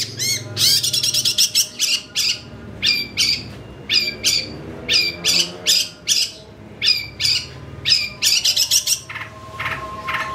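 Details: Long-tailed shrike in excited full song, played as a lure: sharp harsh squawking bursts and scratchy chatters in quick series, short phrases separated by brief pauses, some rapid repeated notes, steady low hum in the background.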